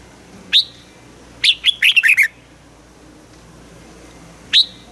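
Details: Caged Red-whiskered bulbul from Thailand singing in the southern master style, played to excite other caged birds and teach young birds: a single rising whistled note, then a quick phrase of five or six warbled notes, then another lone rising note.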